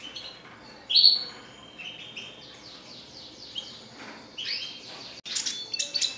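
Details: Red siskin singing actively: a loud rising buzzy note near the first second, then quieter twittering, rapid repeated slurred chirps and a final burst of high sharp trilled notes, over faint background hiss.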